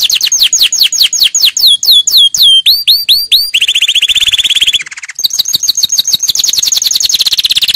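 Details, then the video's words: Canary in a training song: repeated swooping chirps that quicken, then a low buzzing roll, a brief pause, and more fast sweeping trills. "Canary 's most powerful song for training"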